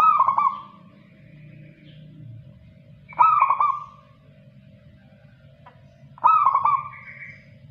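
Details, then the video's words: Actively singing local zebra dove: three trilled cooing phrases at roughly three-second intervals, each a rapid broken run of soft notes that dies away, over a low rumbling background. "Kutut Lokal Gacor"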